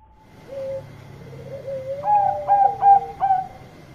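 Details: A Bangkok-type zebra dove sings loudly to call companions: a soft low note, a rising purring trill, then four emphatic higher coos with falling tails spaced about every third of a second, over a faint steady whine.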